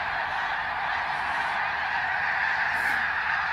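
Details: Migrating greater snow geese fly over Ottawa, Canada, in fall 2021 in flocks of hundreds of thousands. Their calls form a thick, steady roar of overlapping honks.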